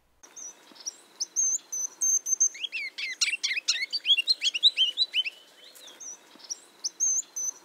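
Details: Ruby-crowned Kinglet song heard in winter in eastern North America: thin, very high notes speed up into a loud, musical twittering lasting about three seconds, then a few loud high notes close it.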